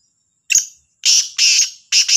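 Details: Morning call of a black francolin from Sahiwal, 18/09/22: a brief clipped opening note followed by a rhythmic run of three harsh, scratchy, broadband notes about half a second apart, over quiet background.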